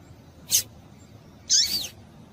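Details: Female yellow-bellied seedeater (papa-capim) call meant to make males sing: a quick high chip followed a second later by a longer, slightly descending sweeping chirp.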